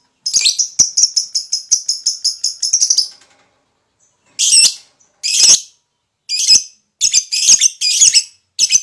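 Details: Lovebird in a recording used to lure other lovebirds into their long ngekek chatter. A fast run of harsh, high, evenly spaced notes lasts about three seconds, pauses, then gives way to scattered rasping squawk bursts.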